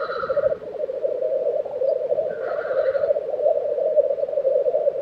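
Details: Sweden's Tiveden forest in April 2023: black grouse at the lek produce a constant low, warbling bubble, while faint higher calls from other birds sound briefly twice.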